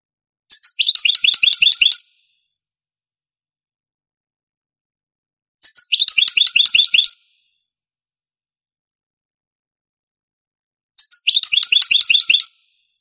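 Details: Granada-pattern European goldfinch song from an old Spanish recording of the 1980s–90s: three separate phrases roughly five seconds apart, each a high piercing note then a dense, buzzy, fast twitter lasting over a second.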